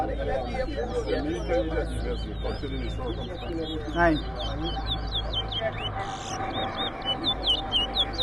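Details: Large-billed seed-finch (towa towa) at a singing competition in Rosignol, Berbice, Guyana, round two: quick whistled notes repeated steadily for the whole stretch, with men talking and a low hum underneath.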